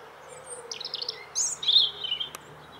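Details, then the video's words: Bird singing: a short buzzy trill, then a bright whistled note, then a lower warbled phrase lasting about a second, over steady low background noise, with one sharp click near the end. "CHANT OISEAU"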